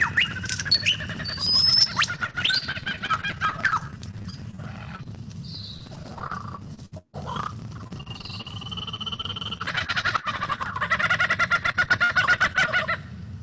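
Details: A male superb lyrebird pours out a rapid medley of mimicked calls, including a raucous, cackling kookaburra-like laugh, with whistles and harsh chattering notes in quick succession.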